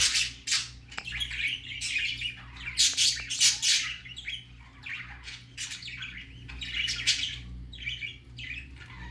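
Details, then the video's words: A baby budgerigar on its first time out chatters in bursts of harsh, buzzy squawks and warbles, loudest around three seconds in, pausing briefly between phrases over a faint low indoor hum. "Baby parakeet first time go out"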